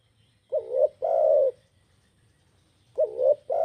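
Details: Spotted dove, known locally as tekukur, song recorded for bird-keeping therapy: two coos in quick succession, the first short and wavering, the second longer and steady, with the phrase heard twice over faint low background rumble.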